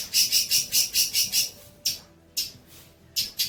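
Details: Long-tailed shrike song meant for training young birds, a quick series of about eight harsh, high pulsed notes in a steady beat, then three or four more spaced calls after a brief gap.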